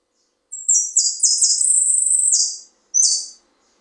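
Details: Saffron finch (Argentine jilguero) singing in the bonaerense style: a high, bright phrase of quickly linked whistled and trilled notes lasting about two seconds, then one short closing note after a pause.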